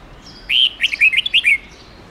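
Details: A red-whiskered bulbul gives a long forest-type song for young birds to copy, a one-second string of about eight sweet, slurred whistles that rise and fall, against quiet background hiss.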